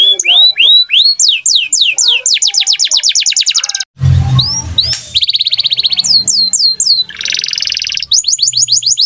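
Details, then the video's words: Gacor canary song of rising swoops and fast falling trills, broken by a brief low thump and noise, then resuming with rapid trills and a buzzy rattling phrase. "BEAUTIFUL SOUND OF GACOR CANARIES"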